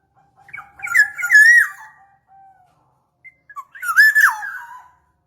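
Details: Black-naped oriole song used as a lure: two rich, fluting whistled phrases, each a looping rise-and-fall warble with a brief lead-in note, separated by about a second and a half of quiet.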